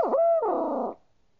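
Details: A single owl call: a short dipping hoot leads into a sustained, slightly wavering note that falls away in pitch and cuts off after about one second, leaving silence.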